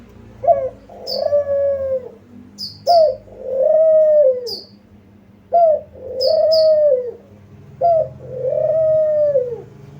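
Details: Lure recording of a spotted dove: four phrases of a sharp short note leading into a long mellow coo that sags at the end, accompanied by thin high chirps from another small bird.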